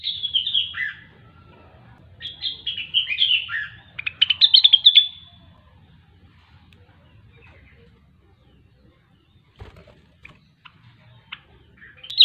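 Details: Grey-cheeked bulbul in loud full song giving a burst of bright, warbling, up-and-down phrases for about five seconds, then near silence with a few clicks and a faint low hum.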